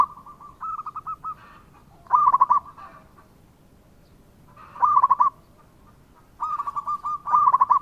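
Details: Local zebra dove giving repeated stuttering coo bursts, loud and quick, interspersed with quieter even runs of coos from another dove, phrases coming every two to three seconds.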